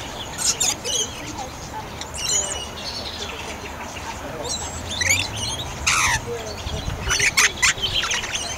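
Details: Little lorikeet (uploader thinks) at the Canberra Walk-in Aviary, giving shrill, high, buzzy screeches in short bursts, with other chirping birds and faint background chatter.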